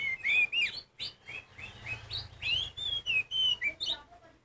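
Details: Loud song of a kacer poci Oriental magpie-robin, used to provoke other magpie-robins. Fluent, clear whistles rising and dipping, many short upslurred notes strung closely together with a few sharp high accents.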